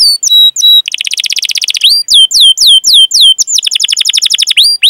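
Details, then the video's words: Canary song used as a training lure for young, untrained or silent canaries: rapid trills of high whistled notes, repeated downslurred chirps and long rolling phrases, loud and continuous with no other sounds. "Masteran Suara Burung Kenari Gacor Panjang cuit cuit Ngerol untuk Pancingan Kenari!"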